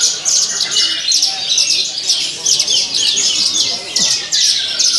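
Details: A Javan bush lark sings on the pole during a song competition, a rich mixed fill of sharp chirps and rattling bursts in close series, ending with a long falling whistle; faint voices behind.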